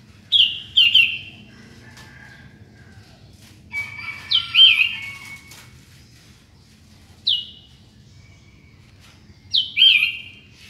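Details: Sooty-headed bulbul song at morning time: short, sharp, downslurred whistled phrases, often paired, returning every few seconds with quiet gaps between.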